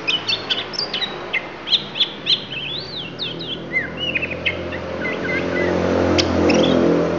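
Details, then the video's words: An oriental magpie-robin (Lampung magpie-robin) shows off its song repertoire, pouring out a quick, varied run of clear whistles and slurred, chattering notes, several per second, while a low rumbling noise builds toward the end. "Kacer Lampung Keluarkan Isian"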